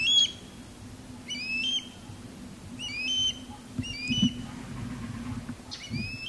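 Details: Osprey courtship calling during a male sky dance, female answering from a longleaf pine; sparse, short upslurred whistles in four or five spaced bursts, fainter, with low rumbling noise between.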